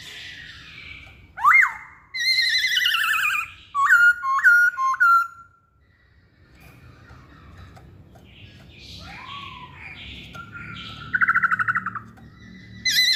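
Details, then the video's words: Masked laughingthrush song: loud clear whistles with sliding notes and a run of quick rising-falling whistled phrases, a pause, then more warbled whistles and a descending slur, over faint low background hum. "Kicauan Poksay Hongkong"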